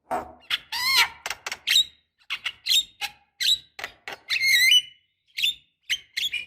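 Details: Javan myna, female calling male, as a lure: a dense, busy string of squeaky whistles, grating rasps and short chirps with almost no pauses, varying in pitch throughout.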